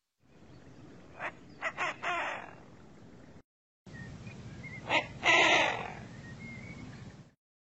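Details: Female Eurasian Wigeon call, rare in nocturnal flight: harsh, rasping growls in short broad bursts around 300–500 Hz, each sharp-edged then trailing off and descending, over faint background hiss.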